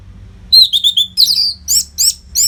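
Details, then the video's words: Orange-headed thrush singing without pause as training song for fighter birds: a pure high whistle, slurred descending notes, then three loud upswept chirps about a third of a second apart. "SUARA MASTERAN ANIS MERAH GACOR RAPET NO JEDA INI UNTUK MELATIH FIGTHER BURUNG AGAR SELALU FIT"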